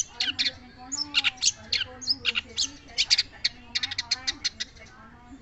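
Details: Long-tailed shrike sings a steady stream of sharp buzzy notes, quick trills and thin high whistles, evenly spaced throughout, above a constant low background hum.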